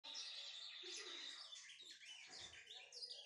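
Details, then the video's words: A kept brown-plumaged Lined Seedeater being warmed up to sing delivers a dense, unbroken stream of high, scratchy chirps and twitters for the whole three seconds. "Esquentando-meu-bigodinho pardo"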